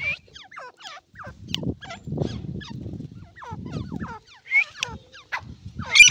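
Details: Scattered thin, down-slurred chirps from an Irani partridge, loosely spaced, mixed with low rumbling handling noise and a louder harsh burst at the end.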